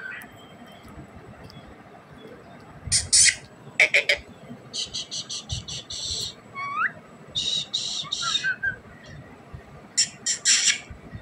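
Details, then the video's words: Pet rose-ringed parakeet vocalizing. Harsh, grating squawks come in quick clustered bursts, with a short rising whistled note in between, over steady low background hiss. "parrot bird talking,desi parrot ki boli"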